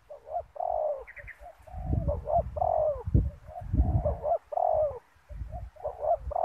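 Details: Spotted dove used as a decoy to lure wild doves during ground trapping with snare nets: low, hoarse coos in rapid uneven runs of short and longer notes, mixed with heavy low thumps and rustling handling noise.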